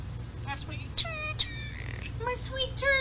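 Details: A pet European starling mimics human phrases like "going to give him a kiss" in a thin, tinny, speech-like voice, like a playback toy, broken by sharp high whistles, over a steady low hum.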